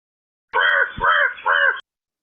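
A crow gives three harsh, hoarse caws in quick succession, each with a slightly arched, nasal quality, all within about a second and a half.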